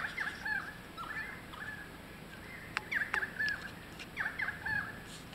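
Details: Kookaburras at Carnarvon Gorge fighting over a lizard give harsh, rapid chuckling notes, each quickly rising and falling, in bursts throughout, over a faint steady background hiss.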